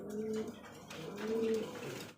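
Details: Arabian breed domestic pigeons kept as a pair on a farm near Ashulia, Savar, Dhaka, Bangladesh, indoors; two drawn-out low coos, the second longer and steadier, with faint room noise.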